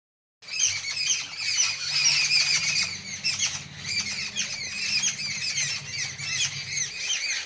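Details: Many birds chirping together in the evening: a dense, continuous chorus of overlapping high squawks and chirps, with a steady low hum underneath.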